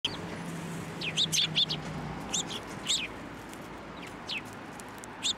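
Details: Sparrows at a Tenmangu shrine on 16 December 2023, flying onto a hand to be fed, giving short bright chirps in small clusters with pauses, over steady background rumble.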